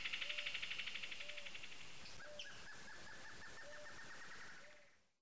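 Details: Amazon kingfisher pair calling: a loud, rapid buzzy rattle of clicks lasting about a second opens, then a softer, higher trilled series follows, while low, even hoots repeat roughly once a second in the background.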